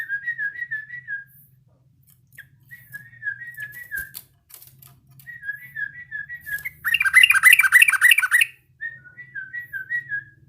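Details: Yellow-vented bulbul learning its song: series of short, even whistled notes repeated rapidly at steady pitch, interrupted once by a loud burst of jumbled chatter.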